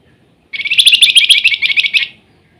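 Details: Flamboyan bird in active nyiul-style song: one loud, fast, buzzy trill lasting about one and a half seconds, evenly pulsed and fading at the end, with nothing else audible.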